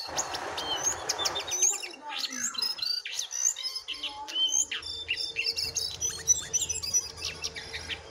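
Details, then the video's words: Caged and wild jongkangan compete in song: a rapid stream of sharp chirps and high flicked whistles over a faint low hum, after a brief burst of broad noise at the start. "Adu Gacor Jongkangan Liar VS Jongkangan Sangkar"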